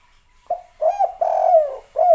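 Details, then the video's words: Spotted dove, known locally as tekukur or derkuku, giving a clear series of low mellow coos, the first short, then a rolling double note and two longer drawn-out coos that slide gently downward, in a quiet indoor setting. "tekukur kuk 3"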